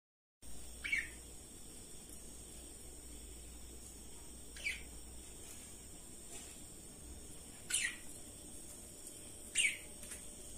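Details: Budgerigars playing and chasing one another along a rope give a few short, sharp chirps spaced several seconds apart over a steady hiss.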